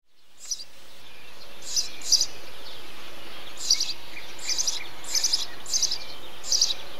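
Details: Eurasian tree sparrow in a bee-eater colony giving short, harsh chirps, singly and in quick doubles, about nine over several seconds, with a faint constant high hiss behind.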